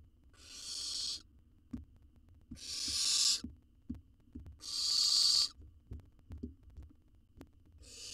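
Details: Wild owl nestling fed a jird in a research nest box in Israel; loud, harsh, hissing screeches about every two seconds, four in a row, with light tapping and clicking sounds between them.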